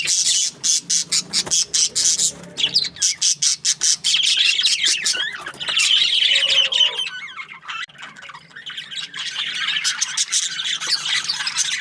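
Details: Budgerigars chirp and chatter in the morning in a busy, scratchy stream of high squawks, rapid clicks and warbled notes, several birds overlapping without pause.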